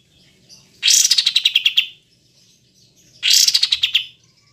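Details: Olive-winged bulbul (kapas tembak), recorded as a training track for songbirds: two loud, high, chattering bursts, each a rapid series of about ten sharp notes that slide downward, separated by a pause of over a second; quiet background.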